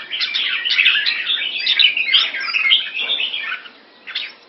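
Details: Red-whiskered bulbul kept in Singapore, in molt, 4 June 2017: a steady bubbling warble of chirps and slurred whistles for about three and a half seconds, a quiet gap, then one short final note.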